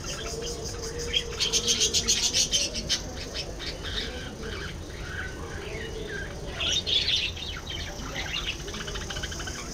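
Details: Budgerigar chatter in two bursts: a rapid run of clicking, warbled chirps early on and a second short flurry later, separated by quieter stretches with a faint lower murmuring tone.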